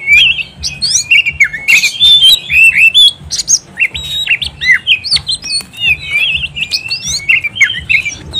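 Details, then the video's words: Oriental magpie-robin delivering a long ngobra-style song: non-stop fast mix of sweet whistles, sharp up-and-down slurs and chattering phrases for over eight seconds, faint low hum underneath. "KACER GACOR Ngobra"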